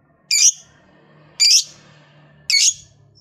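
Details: Lovebird producing three loud, rasping, high squawk-chirps about one second apart over a low background hum, a sound intended to encourage other lovebirds to sing.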